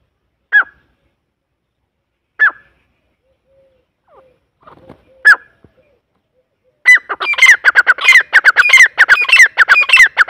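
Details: Grey francolin, called Irani or Dakhni teetar, giving sharp, harsh single notes about two seconds apart, then bursting after seven seconds into a loud, rapid run of grating, repeated notes in a quiet setting.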